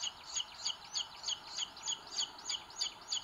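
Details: Nest of booted eagle chicks in Sierra de Guadarrama National Park, Spain, 2022, on a live camera, the dominant chick pecking the smaller; a regular run of shrill, paired peeps repeats about three per second.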